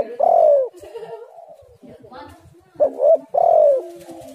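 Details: Spotted dove cooing, used as a lure recording to get doves singing: two loud, low, hooting coos with a falling tail, separated by a softer double-noted coo and faint quieter coos, with a brief clatter between.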